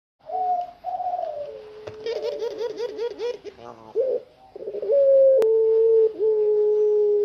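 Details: A tame spotted dove sings outside its cage, giving low, mellow long coos, some drawn out and some wavering in quick bubbling runs, in a small quiet room.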